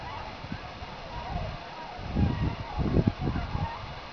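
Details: Trumpeter swans in a field full of swans at Long Point, give a burst of low, hoarse, horn-like honks in the second half, over steady background rumble.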